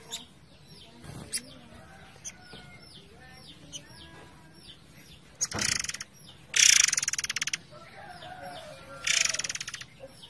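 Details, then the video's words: Forktail song over flowing water, meant for training other songbirds: three loud bursts of rapid, harsh pulsed rattling in the second half, with faint descending chirps and steady rushing background noise between them. "MASTERAN BURUNG MURAI AIR GACOR / Ngerol Durasi Panjang"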